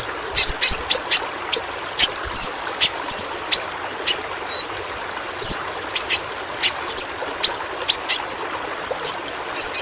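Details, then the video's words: Tutor recording of the pentis pelangi flowerpecker from Kalimantan: scattered high dry ticks and occasional tiny wavering whistles, uneven spacing, over a steady soft hiss. "Burung Pentis Pelangi Masteran Bagus Untuk Burung Figther"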